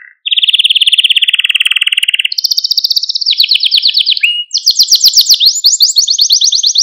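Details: Maltese canary male song aimed at stimulating other canaries: a long rolling trill, shifting to higher pitched rapid trills and a very fast rattling series near the end.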